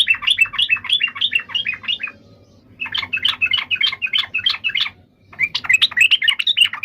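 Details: Yellow-vented bulbul singing in three bursts of rapid, bubbly chirping notes, each phrase rising and falling, split by short pauses near 2 and 5 seconds; a faint low hum runs underneath.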